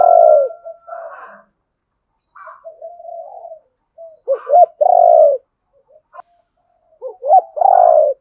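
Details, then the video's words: Spotted doves, male and female, calling to provoke a wild rival into fighting, as used in training decoy birds. Deep, mellow coos come in irregular clusters, with soft rolling notes and short gaps between phrases, and several loud coos near the end. "cu gáy thúc đấu rút bổi nhanh về cội đấu với bổi"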